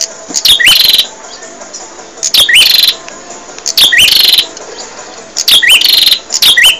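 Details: Training song of a bar-winged prinia for caged songbirds: a steady series of loud buzzy bursts, each ending in a rising whistled flick, recurring every second or so.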